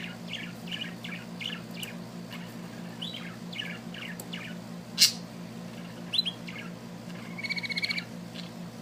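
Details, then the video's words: A small bird sings a run of quick, high chirps, then a sharp click and a fast rattling trill near the end, over a constant low background hum. "amazing little bird singing"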